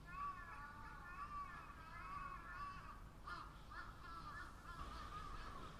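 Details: Chorus of crows giving harsh, harmonic caws: a run of wavering calls over the first three seconds, then shorter overlapping caws, above a steady low rumble.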